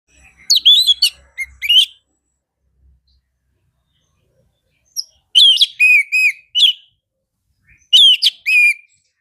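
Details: Orange-headed thrush singing energetically: three bursts of rich, fast whistled phrases with quick rising and falling slurs and buzzy notes, separated by pauses of a few seconds; otherwise quiet.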